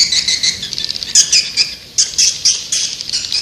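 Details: Call of white-nest swiftlets played to draw swiftlets in: shrill, chattering bursts of high twittering notes, broken by short gaps, about once a second.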